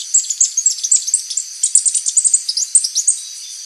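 Mid-mountain berrypecker singing a rapid, very high-pitched run of thin chips and twittery notes, several each second, over faint background hiss.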